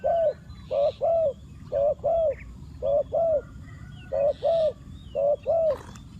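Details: Lure spotted dove calling to attract wild doves, giving low, mellow coos mostly in close pairs separated by short pauses, with a few faint bird chirps behind.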